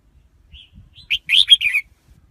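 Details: Red-whiskered bulbul: a soft whistled note, then a loud, fluid phrase of several rich, rolling whistles that rise and fall.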